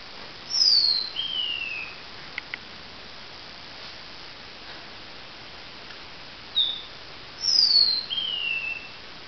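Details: Lavender waxbill singing at dawn, recorded in 2016: two thin, very high phrases about seven seconds apart, each a brief pip and then a long whistle sliding downward into a lower, fading descending slur, over steady faint hiss.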